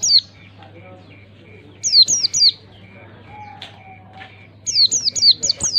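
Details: Oriental white-eye song used as a prompt for young birds: rapid strings of three to five high, steeply descending chirps, separated by pauses with a soft whistled note and low hum.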